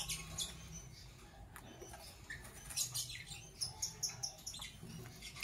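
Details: Captive Fischer's lovebirds, a Parblue Violet and a Pastel Green Opaline, in the morning: short, sharp high chirps in quick irregular bursts, growing busier toward the end over a faint low hum and light rustling.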